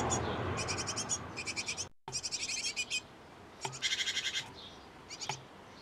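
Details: Great tit pair at a nest box, busy feeding nestlings: fast trains of high, thin ticking notes about ten per second, in bursts separated by short pauses, over a low background hiss.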